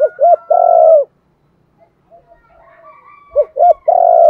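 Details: A spotted dove decoy calls to lure and train other doves. It gives two brisk short coos and a long grainy coo, a pause with faint distant twittering, then the same three-part phrase again.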